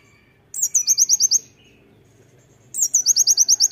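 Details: Master-song material from a loud-singing Oriental white-eye in tembakan style: two short bursts, each a high slurred opening note followed by six or seven quick, sharp, very high chips, separated by a quiet pause.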